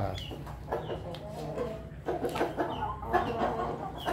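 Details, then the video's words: Laughing chicken (ayam ketawa) rooster, kept alongside Bangkok chickens and eating, crows in a run of quick, stuttering, cackling notes, with a man talking nearby. "Nah, itu suara ayam ketawa."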